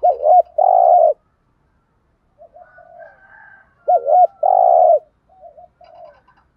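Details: Spotted dove cooing to provoke decoy birds: two loud phrases, each a wavering note then a sustained coo, separated by soft faint notes.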